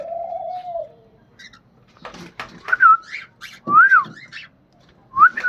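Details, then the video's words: Pet cockatiel making funny sounds in a small room: a long steady whistle, then scratchy noises, followed by three clear looping whistled phrases. "Cocatail Funny Sounds"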